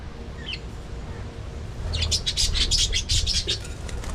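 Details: Budgerigars in an aviary colony: one short high chirp early on, then after a pause a dense burst of rapid, scratchy, high-pitched chirps lasting about a second and a half, over a steady low rumble.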